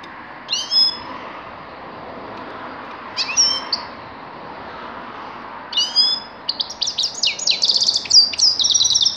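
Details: A grey-crowned goldfinch gives three separate short nasal calls a few seconds apart, then breaks into a quick twittering song of chirps and trilled notes for the last three seconds.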